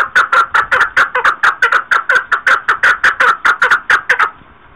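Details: Chukar partridge, 2021, giving a loud, rapid chuck-chuck series of harsh clucks, about four to five per second, steady and even throughout, then stopping abruptly near the end.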